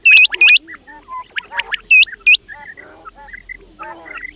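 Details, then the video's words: Fat quails calling: loud, sharp, hook-shaped high whistled notes, mostly in quick pairs, set against a busy background of softer chirps and lower twittering calls. "The sound of fat quails is very clear موٹا بٹیروں کی آواز بہت صاف آواز"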